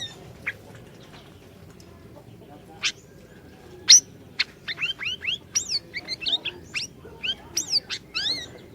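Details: Used to prompt a silent bird to sing, orange-bellied leafbird song opens with sparse sharp high notes, then builds into a fast series of rising whistled slurs and chips.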